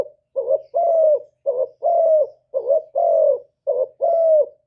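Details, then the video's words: Decoy spotted dove from Cà Mau, calling to lure wild doves: four paired coos, each a brief quavering note followed by a drawn-out, slightly falling one, spaced evenly, with no other sounds. "CU GÁY MỒI ĐẤT, CU ĐẤT GÁY, CU CƯỜM GÙ KÍCH BỔI, TIẾNG CHIM CU MỒI"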